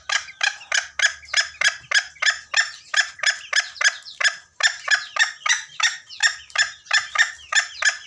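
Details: Junglefowl call used as a trapping lure, Gunung Kambeng: rapid, evenly repeated harsh cackles of about three a second, coarse and ringing, with a short gap midway before the series resumes.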